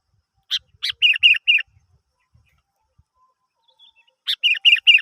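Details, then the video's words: Sooty-headed bulbul song used as a lure to prompt other birds to sing: two short bursts of chirpy notes, each a couple of harsh, buzzy onsets followed by three or four clear, bright notes, separated by nearly three seconds of silence. "Pancingan Burung kutilang"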